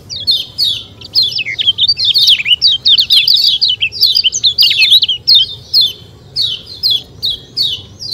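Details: Kecial kuning, the lemon-bellied white-eye, delivering rapid "ciak ciak" chatter: dense high-pitched twittering notes tumbling almost continuously, then easing into evenly spaced short chirps.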